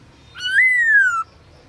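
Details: Black-throated laughingthrush kept as a songbird, singing at midday in forest style: a single clean whistled note that swells, peaks, and glides gently down before ending abruptly.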